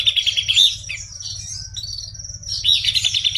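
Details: Energetic buff-breasted babbler song: busy, scratchy chatter and high sliding whistles, a short pause, then renewed rapid twittering; low mechanical hum throughout.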